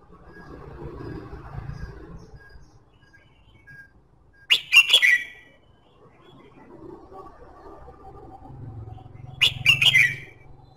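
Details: Red-whiskered bulbul song meant to encourage singing: two loud, quick whistled phrases roughly five seconds apart, each of several slurred notes, over a faint low hum and soft background noise.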